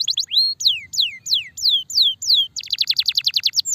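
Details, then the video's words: Canary of the starblue strain, a long-duration tutor recording for training songbirds; loud clear song of downward-sweeping whistled notes about half a second each, then a fast run of rapid descending trills near the end. "kenari starblue gacor durasi panjang"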